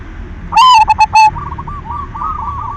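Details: Silver zebra dove singing as a lure to prompt other doves. A loud burst of four stuttered coo notes is followed by a softer, rolling series of coos from another bird.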